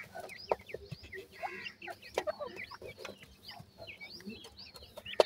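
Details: A group of francolin chicks kept in captivity calls while feeding. Soft, high, sliding peeps repeat continuously over quiet background clicks and taps.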